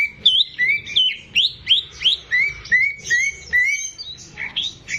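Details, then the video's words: Caged greater green leafbird in full song for prompting untrained birds, delivering a steady chain of rising whistled notes about three per second, ending with higher twittering phrases. "CUCAK IJO GACOR || PAS BUAT PANCINGAN BURUNG BAHAN"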